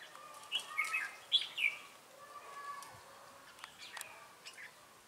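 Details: Red-whiskered bulbul at a trapping site in Bình Phước, Vietnam, 25 June 2018, decoy in ché song; loud, quick, jumbled chirping phrases early on, then lower drawn-out whistles and faint clicks as the sound fades.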